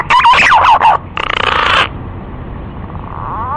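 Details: Green pigeon (punai) giving a short burst of whistled, wavering notes near one pitch, then a harsh buzzy rattle, with a faint rising whistle at the end.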